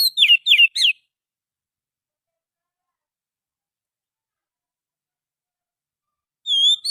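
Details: Oriental magpie-robin lure song from the wild: three quick, sharp, down-slurred whistles in the first second, then long silence, and one clear whistled note at the very end.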